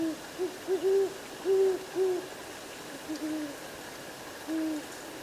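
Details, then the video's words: Great Horned Owl at night in a Montana cottonwood forest in summer, picked up by an automated recorder: deep, soft hoots in an uneven stuttering series, some slightly higher than others, over a quiet night hiss. "Great horned owls hooted in the night."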